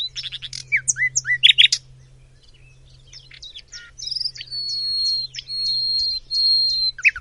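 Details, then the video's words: Nightingale song from Macedonia, opening with rapid varied chirps and slurred notes, a short pause, then a series of long pure whistled notes held level and repeated, over a faint low hum. "BILBIL - Nightingale"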